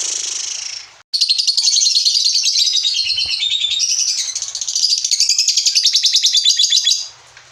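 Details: Lovebird in ngekek style, a long continuous rapid high-pitched chatter of buzzy, rattling notes that runs for about six seconds after a brief break, with a short quieter tail.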